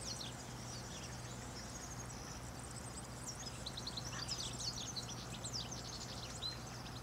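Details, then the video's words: A European goldfinch, recorded in the morning around eleven, sings/calls, repeating a phrase with insistence on the last repeat: a quick, tinkling twitter of high, liquid notes running on without pause over a steady low hum. "Chant d'un chardonneret élégant"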